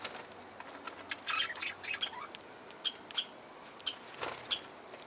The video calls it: Parkieten geluiden – Parakeet sounds